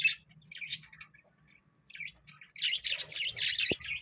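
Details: Pet parrot chatters in loud raspy chirps and squeaky bursts, pausing briefly before a dense run of scratchy warbled notes, with one sharp click near the end.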